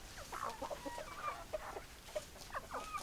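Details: Chickens cluck in short, abrupt bursts spaced about half a second apart, some notes bending upward, over a constant low background murmur.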